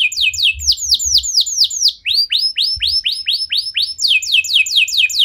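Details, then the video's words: Canary singing to provoke song in other canaries: strong repeated downslurred whistles in rolling phrases, each phrase changing pitch every second or so. "Kenari Anda Bisa Gacor Seketika Dengar Pancingan Kenari Nembak Joss Ini"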